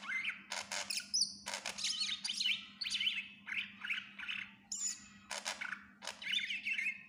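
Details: Greater green leafbird singing energetically in full song for tutoring other songbirds: dense, rapid chattering and warbling phrases broken by short pauses, harsh buzzy notes among bright chirps, over a constant low hum.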